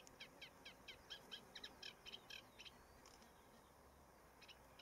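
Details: A young northern lapwing on Zandvoortweg, 25 May 2014, gives a quick run of thin, high peeping notes, about five a second, then a few scattered peeps over faint background hiss.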